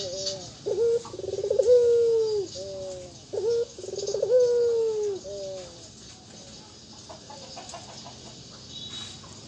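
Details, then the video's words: Ringneck dove of local type performing anggungan-style cooing: clipped bent notes and rapid rolling stutters leading into long, level, slightly falling coos during the first six seconds, then near quiet with faint background hiss. "puter burung anggungan faporit"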